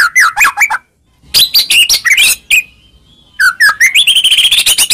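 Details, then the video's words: White-rumped shama song used as a lure to provoke a reply: loud varied whistled and chattering phrases, a pause with a faint thin whistle, then a rising run of rapid sweeping notes. "Pancingan Begini Yang Disukai Murai Batu Seketika Langsung Nyaut"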